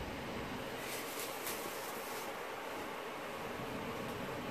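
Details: Steady broadband rushing noise like wind or passing traffic fills the recording, with a few faint high hisses and no animal voice.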